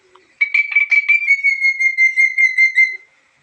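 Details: Black-capped lory producing a strange whistled call: a sustained ringing tone pulsing rapidly for nearly three seconds, slightly falling toward the end.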